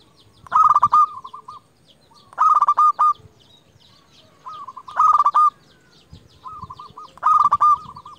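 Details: A champion lure zebra dove, local bird, calls to provoke rivals. Four loud rolling coos come about every two seconds, each a rough trill ending in clipped repeated notes, with fainter dove coos in between.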